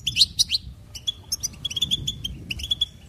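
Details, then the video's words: Goldfinch singing, likely a kept bird: rapid tinkling twitters and short buzzy notes in quick bursts, with a few sweeping chirps at the start and a faint low hum beneath. "Motivational insights From Goldfinch Teaching Life's Lessons"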